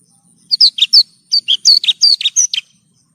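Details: Branjangan bush lark singing on a tutor recording for caged birds: a rapid string of high, thin chirps and sweeping twitters in two phrases, roughly fourteen notes over two seconds, with a brief pause between them and no other sounds.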